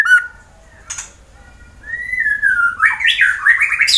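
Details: Captive white-rumped shama, a fighter-type bird from Wonosobo, Central Java, Indonesia, sings to provoke rivals into singing: a clear rising-then-falling whistle, followed by rapid varied warbled notes rising in pitch, with a few short sharp chips before.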